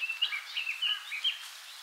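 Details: Wild red-billed leiothrix in song at Akigase Park, Saitama city, Japan, recorded some twenty years ago: a continuous run of sweet, warbled whistles, each note sliding up or down, delivered rapidly with brief gaps over faint ambient noise.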